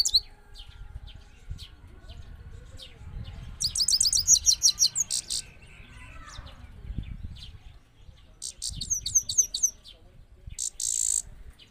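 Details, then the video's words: Trained Himalayan goldfinch from Parachinar, in Kabul, Afghanistan, 2022: bursts of rapid high twittering and buzzy notes separated by quieter stretches, with low background rumble. "Parachinar Himalayan Gold Finch in Afghanistan Kabul gold finch singing"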